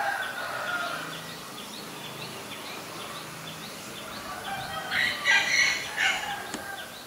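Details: Black-collared starling in Ubon Ratchathani, Thailand, recorded 17 April 2022: after a quieter start, a burst of loud, harsh, broadband squawks arrives late, over a steady background of small repeated chirps from other birds.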